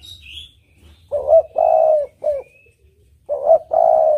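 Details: Spotted dove (tekukur) song used as a lure: low cooing phrases with a short coo, a long sustained rolling coo and a brief trailing note, then the pattern starting again; faint high chirps of another bird at the start.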